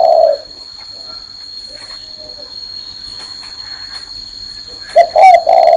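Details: Spotted dove perched on a hand: a low coo at the start, a quiet stretch with faint sounds, then a loud accented coo phrase near the end.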